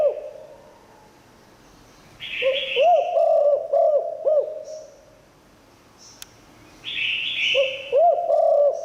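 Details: Spotted dove singing its 'liu tan' call as a decoy for wild doves. Two phrases of low, arched coos, with buzzy higher sounds just before each phrase. A sharp click is heard in the pause.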